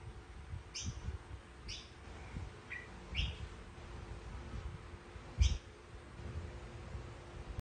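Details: A mutant platinum-white red-whiskered bulbul gives five short, sharp chirps spaced about a second apart, some dropping slightly in pitch, over a steady low rumble.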